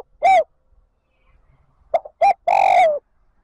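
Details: Lure spotted dove calling wild birds to join the flock; a short note ends one phrase, then after a pause two quick clipped notes lead into a long, slightly falling hoarse coo.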